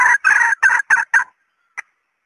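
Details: Female red junglefowl lure call meant to draw males: five short, loud, harsh notes given in rapid series, then a brief pause and one faint single note.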